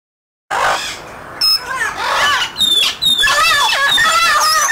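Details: Trained free-flight Amazon parrots keeping vocal contact with other Amazons, crows nearby; strident, wavering harmonic screeches that rise and fall, coming rapidly one after another and growing more continuous toward the end.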